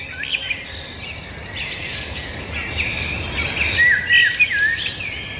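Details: Several birds sing together outdoors in a busy, overlapping chorus of high chirps and trills, with a few clearer whistled slurs near the end over steady background hiss.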